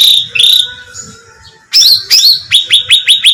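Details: Bulbul, locally called cucak ranting, recorded as bait to draw birds in: two clear chirps, a quiet gap, then harsh bursts that lead into a quick series of sharp, repeated descending notes.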